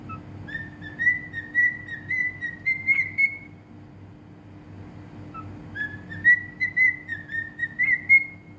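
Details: Bahrain cockatiel singing the same whistled phrase twice. Each phrase lasts nearly three seconds, is made of pulsed notes that climb gently in pitch, and ends abruptly before a quiet gap. A low hum runs throughout.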